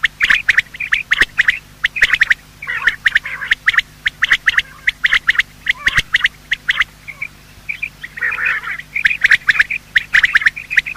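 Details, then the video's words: Morning calling of male and female quail, played to attract birds for hunting: busy, overlapping chirps and clipped notes packed into runs, a rougher churring patch near the end, and a faint constant hum. "Quail calling sound: master the Art of Quail tripping | Bater Awaz Subha"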